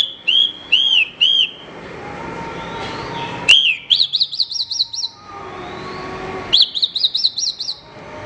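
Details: Horsfield's bush lark singing on a tutor recording for training songbirds. Looping whistled notes come in groups of three, then rapid trills of about six high, bouncy notes. Quiet pauses separate the phrases.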